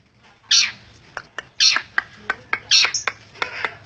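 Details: Persistent Long-tailed shrike song: harsh scratchy bursts roughly once a second, mixed with short sharp clicks and ticks between them.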